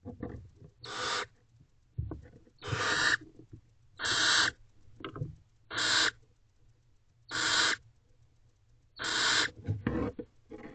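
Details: Barn owls in a nest box at 4:13 am on 28 April 2023, the mother visiting her owlets: harsh broadband hissing screeches about half a second long, repeated roughly every one and a half seconds, with scuffling between.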